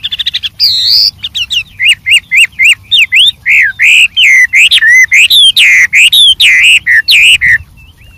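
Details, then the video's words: White-rumped shama in the wild, singing with many variations: an opening quick trill and a high note, then a long, energetic series of looping, slurred whistles, several per second. "suara Burung Wambi Gacor Variasi Banyak dialam liar"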